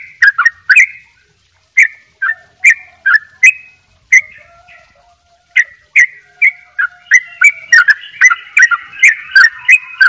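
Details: Sooty-headed bulbul in 'dobel ropel' gacor song: bursts of quick chirps separated by short gaps, then a dense closing run where a second overlapping voice is heard.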